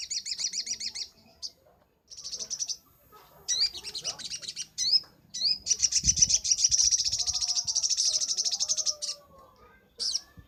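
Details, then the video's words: Sunbird, an Indonesian training master recording: bursts of rapid high trilled notes build into a long sustained buzzy trill of several seconds, mixed with sharp chirps and some lower whistled slurs from another bird. "Masteran sogok ontong paling ampuh - sogon gacor nembak"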